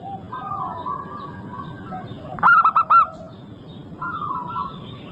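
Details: Singing local zebra dove serving as a lure to get other birds to sing: a short series of four bright, rolling coo notes, with quieter long cooing tones from other birds and a low background rumble.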